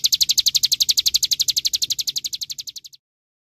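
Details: Olive-backed sunbird repeating thin, high chipping notes in a fast series that gradually softens and ends near the three-second mark.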